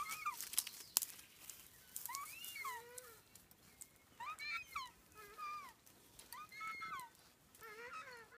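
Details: Critically endangered takahē, three birds in Tawharanui Regional Park's open predator-free sanctuary north of Auckland: repeated nasal, harmonic hooting calls with bending notes, six or so bursts over eight seconds, some sharp clicks and rustling near the start.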